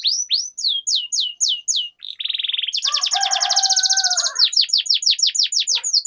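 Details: Canary song used as a lure and tutor for a silent or young canary: quick high downslurred notes, a brief buzzy burst, then a long rapid rattling trill over lower whistles, then more falling notes.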